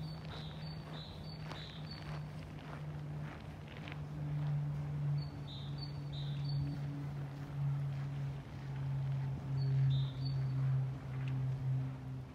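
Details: Great tit singing on 11 February 2024 in an empty town square, Stora torget in Sundsvall: three short bursts of a high, repeated two-note see-saw phrase over a steady low rumble of town traffic.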